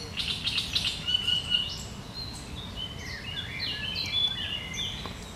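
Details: Great reed warbler song from 1 July 2020, sharp and chattering, opens with a string of rough, rapidly repeated notes, then breaks into scattered thin rising and falling chirps above a constant low hum.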